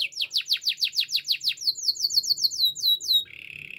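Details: Canary song for training: a fast series of loud descending whistled notes, speeding into a quicker, thinner sequence of sweeps, ending in a soft buzzy roll.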